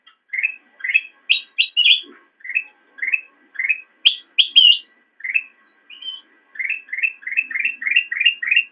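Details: Black-crested bulbul giving a lively master song for training cage birds: many rising chirped phrases, some higher and buzzier, closing with a fast, steady run of about nine similar notes.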